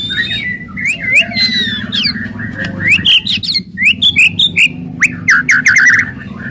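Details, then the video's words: Aggressive White-rumped shama song intended to stimulate other birds: bright rising whistles, sharp clicks and quick chattering phrases in varied bursts, steady low hum behind. "KRETEKAN KERAS & TEMBAKAN MURAI BATU FASTOL.//, ASLI SUKSES MERANGSANG EMOSI"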